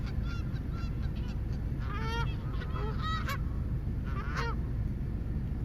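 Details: Geese calling in loose groups of clear nasal honks with bent, downward-sliding notes, gaps between bursts, over a steady deep rumble.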